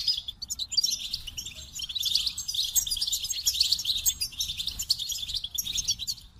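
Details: Dense, rambling goldfinch song, an unbroken chatter of high twitters, liquid warbles and trills that barely pauses for over six seconds; light low-frequency background hum.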